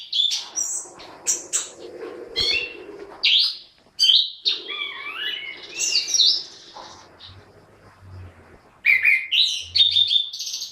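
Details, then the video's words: Orange-headed thrush in full song, a varied medley of high whistles, rapid chattering and swooping slurred phrases, with a faint low hum in the background. "Burung Anis Kembang GACOR"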